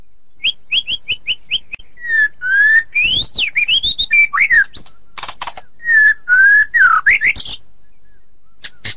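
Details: Caged white-rumped shama singing loud, varied song: rapid repeated high whistled notes, then clear rising and falling whistles mixed with harsh rattling bursts and chattering phrases.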